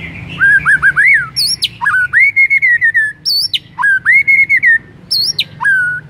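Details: White-rumped shama song meant to set other shamas singing: repeated phrases of a very high upward flick followed by rich, rising and falling slurred whistles, steady and loud throughout.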